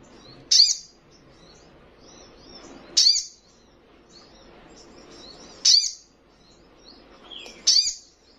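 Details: Young Little Spiderhunter (sogon trotolan), a very vocal bird said to provoke rivals, giving four sharp, high descending chip notes, spaced roughly two to three seconds apart, with faint softer twittering between them.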